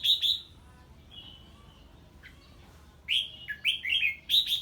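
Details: Red-whiskered bulbul singing in the ché style on hearing an unfamiliar bird: sharp, bright chirped phrases at the start, a faint thin whistle in the middle, then a quick run of rising and falling chirps ending in a loud burst.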